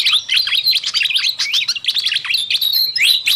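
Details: Fantail flycatcher lure sound intended to attract wild birds: a breathless, unbroken rush of high twittering chirps, quick slurred notes tumbling over one another.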